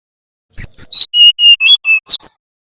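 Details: Nyiul-style song of a brown-chested jungle flycatcher from Bali, played to teach young birds: a rapid run of about nine pure whistled notes stepping down in pitch, closing with two sharp high chirps.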